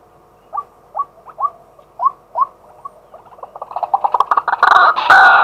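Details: Male White-breasted waterhen calling in daytime, recorded live with a set-up camera: spaced, rising, hooked notes repeat about twice a second, then quicken into a loud, dense run of harsh, overlapping croaks.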